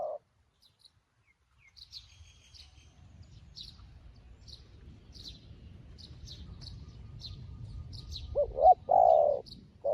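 A dove gives short, low, hollow coos near the end, over thin high chirps from small birds and a soft low rumble.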